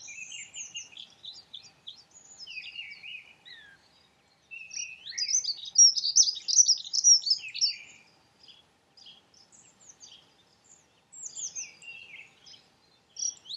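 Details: Dunnock song: scattered thin chirps and short twitters, then a loud, rapid, jangling warble for about three seconds. Quieter broken phrases and a few high notes follow, with other small calls mixed in.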